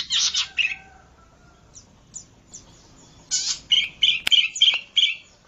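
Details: Zitting cisticola recorded for luring and training birds, giving rough buzzy bursts followed by a quick run of sharp high zit-like notes, with one sudden click midway.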